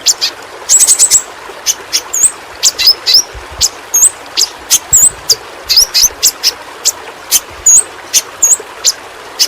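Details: Endemic Kalimantan yellow-rumped flowerpecker, recorded to train pet birds: rapid run of sharp clicking ticks with high hooked whistles, a dense burst near the start, then evenly spaced ticks and curled notes.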